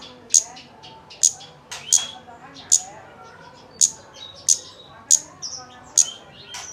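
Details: Kemade lure meant to coax a bird into song: a steady run of bright, very high ticks about once every second, mixed with short twittering and thin sliding whistles.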